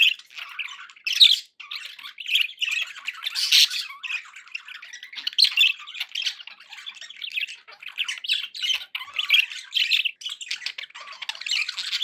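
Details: Happy pet budgerigars chattering in a busy, continuous warble of scratchy, buzzy chirps and squeaky notes, with brief louder squawks and only short pauses.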